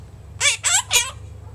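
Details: An 11-month-old pet monk parakeet (Quaker parrot) speaks a quick three-syllable phrase, likely "I love you", in a harsh, raspy, buzzy voice, over a faint steady low hum.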